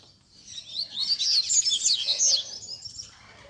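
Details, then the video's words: Several caged Rusty-collared seedeaters sing together at a Sunday gathering of bird keepers, used to warm up a competition bird. Dense, overlapping high twittering and rapid chirped phrases build to a loud busy middle, then fade. "BADERNA de Coleiros TOP - Ótimo para esquentar seu Coleiro de Roda!!!"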